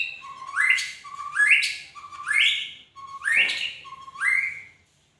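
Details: Magpie-robin singing loud, clear whistles, each starting low and sweeping sharply upward into a bright high note, five near-identical phrases about one second apart, with little background sound.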